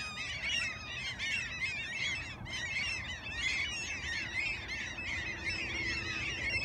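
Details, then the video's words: Many gulls in Alaska crying at once, with short harsh rising-and-falling calls tumbling over each other in a busy flock chorus over a constant low background rumble. "Sea Gulls are no respecter of the weather!"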